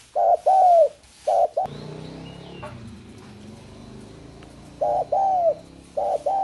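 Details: Spotted dove giving paired hollow coos, short then long and arched, at the start and end, broken in the middle by a few seconds of loud broadband noise with low hum.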